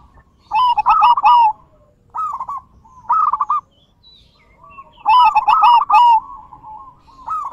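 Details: Zebra dove song used as a lure to get silent doves singing, in big-voiced, bekur and crystal styles: rolling, trilled cooing phrases near one pitch, loud bursts repeated at short irregular gaps with quieter phrases between.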